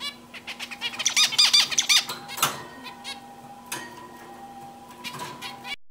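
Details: Zebra finch on a swing delivers a short burst of fast, nasal, buzzy notes, then a few softer scattered calls with a thin sustained tone, above a faint steady hum.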